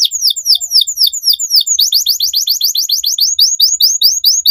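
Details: Young canary pouring out a long training song of quick, repeated downward-sweeping high notes, shifting to a slightly faster phrase partway through.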